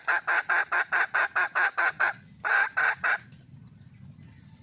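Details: Wild red junglefowl hen calling for a mate: a fast run of loud, harsh clucks, about two per second, then a short pause and three more clucks, with faint low background noise.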